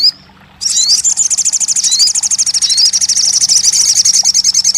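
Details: Crested jay, in sound meant to coax a non-singing bird to call: brief whistle, short pause, then a sustained very fast high rattle with occasional rising whistled notes running through it.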